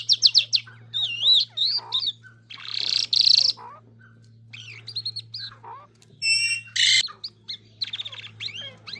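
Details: Irani king jal song of varied warbling whistles, wavering notes and rough buzzy bursts, with a harsh high rasp near the end and a low electrical-sounding hum throughout.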